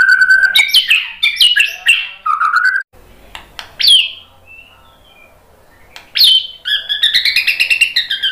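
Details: White-rumped shama song as a lure: a fast, loud run of warbled, looping whistles, a quiet gap with a few faint notes, then a sharp rising note and a rapid, buzzy rattling trill.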